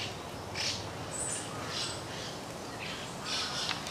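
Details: Juvenile and adult white-cheeked starlings in the stream garden of Aoba-no-mori Park, 10 June 2015, give harsh, scratchy, high calls in short bursts, roughly every half second, over a steady background hiss.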